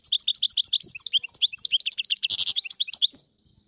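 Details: European goldfinch, Algerian type, singing: a fast continuous run of high twittering notes, trills and short chirps, with one louder buzzy burst near the middle, ending abruptly.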